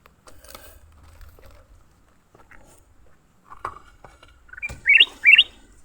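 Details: Leafbirds caught mid-fight: scattered taps and scuffling, then two loud, strongly rising chirps close together near the end, sharp and metallic.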